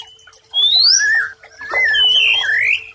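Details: White-rumped shama masteran song for stressed birds that have gone silent: two long, sweeping whistled phrases, one rising steeply and one dipping then climbing, with brief quiet between them.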